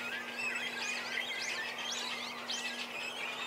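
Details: Cormorant chicks calling while being fed, parents swapping places at the nest. Short burst of shrill, looping squeals repeated about every half second over continuous high chatter, a low steady hum underneath.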